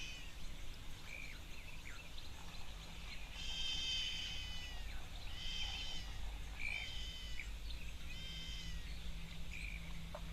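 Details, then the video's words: Trumpeter hornbill call played back as a recording and described as unpleasant, like a baby screaming: drawn-out nasal wailing cries with stacked harmonics, coming in bursts roughly every two seconds over a steady low rumbling background. "you missed the call, I've got a call here of a trumpeter hornbill I'll play for you while we watch these elephants dueling it out."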